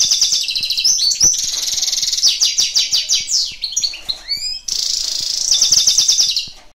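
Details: European goldfinch during a training session, delivering a lively high twittering song of fast repeated notes, buzzy trills and sliding whistles, with a brief pause partway through before the rapid chatter resumes.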